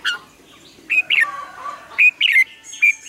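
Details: Morning song of a red-whiskered bulbul, used to train other birds: loud clear whistled notes in short bursts roughly every half second to one second, some rising and some sliding down, with soft lower warbles between phrases.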